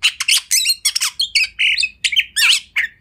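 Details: Kacer delivering master song for training, loud and rich, with rapid harsh chatter leading into slurred whistled phrases and buzzy notes, closely packed.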